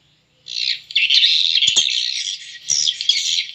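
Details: Swiftlet lure recording for swiftlet farming, a roosting-call track converted from stereo to mono: dense, high twittering chatter runs almost without pause for three seconds, with a couple of soft thumps in between.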